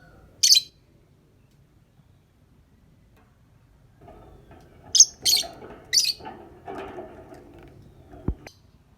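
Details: Lovebird sound for the morning, used as a lure: a lone sharp chirp, a pause, then three quick high chirps over rising low rustling and a soft click.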